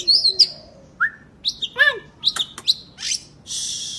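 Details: Oriental magpie-robin singing energetically, used to coax lazy birds into song; separate whistles, up-slurred notes and harsh buzzy bursts, ending in a broad scratchy rasp.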